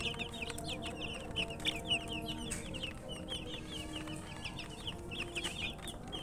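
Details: Thirsty chicks wanting drinking water make a dense chorus of quick, high, sliding peeps, many birds calling at once above a steady low hum.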